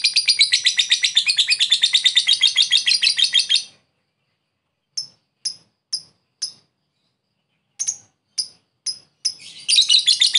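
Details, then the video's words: Lure recording of a lovebird calling a rival, ngekek style: a fast high chattering trill for nearly four seconds, then silence, scattered single sharp chirps, and the trill starting again at the end. "Pancingan lovebird memanggil musuh ngekek"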